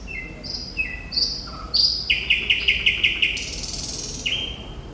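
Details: Thrush nightingale (Sikatan Londo) in continuous song: clean level whistles at different pitches, then a fast series of six loud, sharp repeated notes, a rasping burst and a final rising whistle, with a quiet background.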